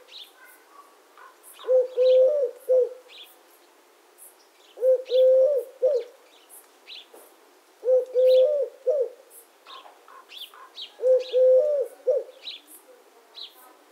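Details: Four evenly spaced three-note coos from a Eurasian collared dove, repeated about every three seconds, each a short note, a long steady coo and a clipped ending, over soft high twittering of other birds.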